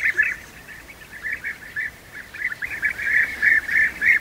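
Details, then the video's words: European bee-eaters feeding young at the nest; a steady stream of short, rolling chirps, about three per second, uneven in spacing and swelling louder toward the end, with no other clear sounds. "Guêpier d'Europe,nourrissage des jeunes au nid"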